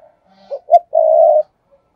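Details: Lure spotted dove performing the 'thúc gù' coo meant to provoke wild doves: a soft opening note, a louder short note, and a sustained low, even coo; near and clear against silence.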